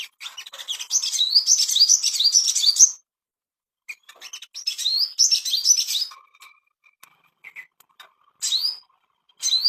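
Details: Ashy tailorbird master song meant to bring kept birds into breeding condition: quick strings of high upslurred whistles delivered in bursts of two to three seconds, separated by pauses with a few soft chips, then short single rising notes.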